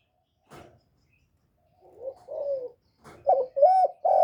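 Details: Captive spotted dove used as a decoy, calling to rouse other kept doves. After a faint click, soft muffled coos build into louder, clearer hooting notes toward the end.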